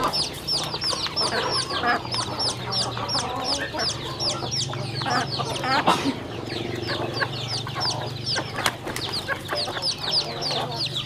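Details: Eating chickens on a home farm give a chorus of thin, descending peeps over a low hum, with scattered clicks of pecking and a faint knock mid-way.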